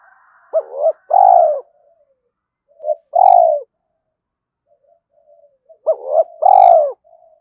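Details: Spotted dove in the early morning, cooing to provoke a fight and lure. Three loud coo phrases of a short hooked note and a longer falling coo. A brief high metallic ringing overlaps two of them.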